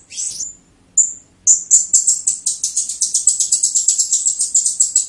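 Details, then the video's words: Blue-crowned hanging parrot, 'teler' song: thin, high opening whistles, then a fast, steady stream of sharp, very high chirps building in pace. "SERINDIT TELER"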